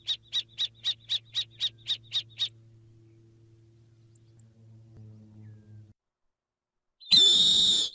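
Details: A snowy owl (Bubo scandiacus) calls a quick series of about ten high, harsh notes, four per second, over a low steady hum; a loud noisy burst follows near the end.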